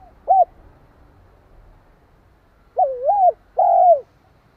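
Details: Spotted dove calling to provoke another dove: a short isolated coo, a pause of about two seconds, then a wavering double coo and a long falling coo, with faint low noise behind.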